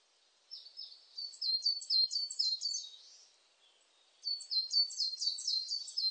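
Coal tit song: fast, high, thin two-note phrases repeated in quick bursts, two strophes with a short pause between.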